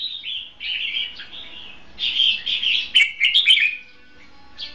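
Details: Red-whiskered bulbul, a caged decoy used for trapping, in competitive song; smooth warbled slurred notes followed by a quick cluster of sharp chirps, then a brief final note.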